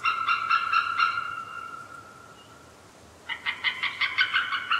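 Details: White-tailed eagle calling: a few clipped harmonic notes, then a drawn-out fading tone, followed by a quick run of sharp, yelping notes, several per second.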